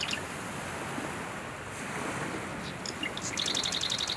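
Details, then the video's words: Male marsh wren in tall cattails, Southern Ontario, Canada, on a July 2020 morning around dawn, gives a few sharp chips, then a fast, dry rattling trill of about nine high notes, over steady rushing wind noise. "Marsh Wren singing up a storm"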